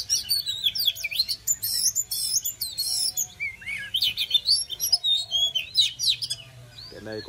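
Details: Oriental magpie-robin song, sung to welcome summer: loud, rich and fast, mixing buzzy trills, sweet falling whistles and sharp clicks in tight phrases, ending with a short low sound at the close.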